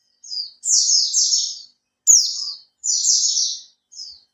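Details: Kept Oriental white-eye, three months in care and starting to fan its tail, sings to draw other birds into song: short high chips leading into rich, rapid descending trills, repeated in sequence.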